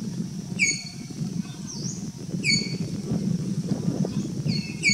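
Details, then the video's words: Streak-throated woodpecker (Picus xanthopygaeus) in Kaziranga, Assam, giving short, sharp, high calls at about two-second intervals, each a quick clipped note, over a steady low rumble of background noise. "Streak-throated woodpecker"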